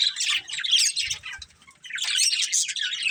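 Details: Budgerigars of a breeding pair give a burst of shrill, rapid warbling chirps, fall nearly silent for a moment with faint low taps, then resume the busy chatter.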